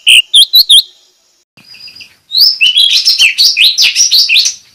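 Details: Cak ranting calling a rival: four clear, evenly spaced high chirps, a short pause, then a fast, dense run of bright warbled chirps that tumbles on without a break.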